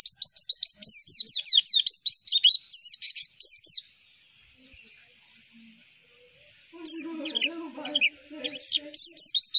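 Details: Training song of a white-eye, played to draw replies from other white-eyes: fast high twittering of sharp falling chirps, a quiet gap of about three seconds with soft lower calls, then the chirping resumes.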